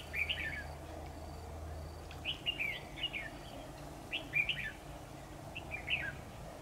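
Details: Red-whiskered bulbul decoy bird singing in competition amid bushes during trapping, 10 October 2019; four short warbled phrases of bright, rising and falling chirps spaced one to two seconds apart, low hum early on.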